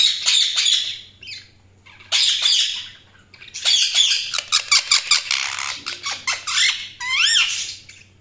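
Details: Budgerigars chirping: a busy stream of harsh squawks and quick scratchy chatter in overlapping bursts, ending with a few clear rising whistled notes.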